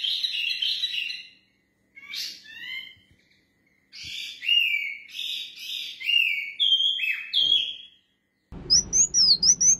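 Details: A pair of mini wambi birds in song: bright, lively phrases of quick whistled and slurred notes, sometimes rising, delivered in bursts with short pauses; a harsher burst with background noise closes.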